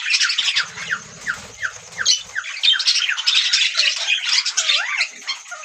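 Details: Budgie parrots chattering with a run of repeated falling chirps about four per second, then looping squeaky whistles among dense scratchy warbling; a low rumble sounds briefly early on.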